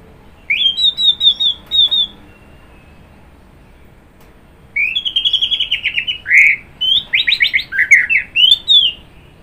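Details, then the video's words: Orange-headed thrush (anis merah) gives a twittering series of repeated high notes, falls silent for about two seconds, then delivers a long varied phrase of rapid rattled and slurred whistles. "Kicauan Burung Anis Merah"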